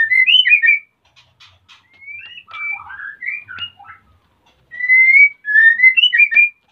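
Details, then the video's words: Male white-rumped shama in breeding condition, wanting to mate while the female builds a nest, kept for breeding in Salaman, Magelang, Central Java: loud clear whistled phrases, some rising and some slurred, in bursts separated by short pauses. "MURAI BATU JANTAN SUDAH BIRAHI DAN MINTA KAWIN !!!"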